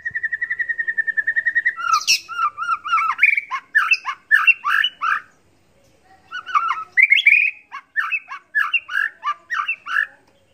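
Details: Contest white-rumped shama, 'isian sekebun' style tutor song: a fast, even trill of repeated notes leads into varied squawky, whistled and chattering phrases, a short silence, then more quick varied mimicry.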